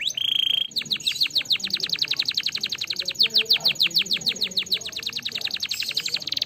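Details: Canary singing, used to stimulate other canaries to sing. A steady high whistle opens, then a long fast trill of repeated downward-sweeping notes, about seven per second, continues evenly to the end.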